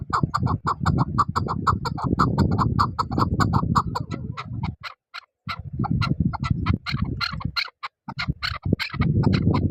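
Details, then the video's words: A chukar partridge gives a fast, clucking run of chuck notes, several per second, with brief pauses, over a steady low rumble of wind or handling noise. "chakor bird sound"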